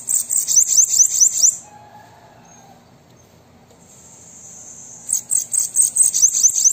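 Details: Two bursts of bananaquit (sibite) song, meant to stimulate a captive bird's singing: rapid strings of very high, thin, descending notes, separated by about three and a half seconds of near silence with a faint hum.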